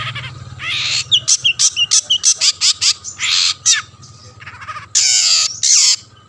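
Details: Long-tailed shrike singing to goad other shrikes into answering; a run of short scratchy bursts mixed with brief whistled slurs, then a pause and two longer grating rasps near the end.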